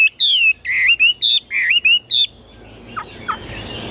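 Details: Chinese hwamei, a tame cage bird for sale, gives short bursts of rich whistled notes that slide up and down in quick succession. It ends with a few faint clipped notes amid hiss.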